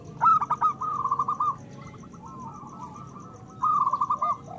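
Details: Zebra doves of local stock, loud lure song for prompting breeding urge; a rapid purring coo phrase, a softer middle stretch, then another fast phrase.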